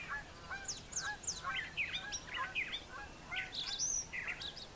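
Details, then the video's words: Brown thrasher morning song from a farm yard with brushy nesting sites; quick series of slurred, chirping and harsh notes, continuous varied phrasing with some higher whistles near the end. "Brown Thrasher Morning Song"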